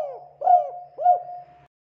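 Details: Local spotted dove song meant to lure in other doves; a pair of mellow, low-pitched coos, the second slightly softer, each followed by a sustained even tone over a faint low drone.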